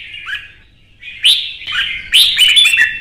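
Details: Caged red-whiskered bulbul from Vietnam singing in a heated contest: a soft, warbled opening, then louder fluty whistles and a sharp, bright cluster of notes after a short gap.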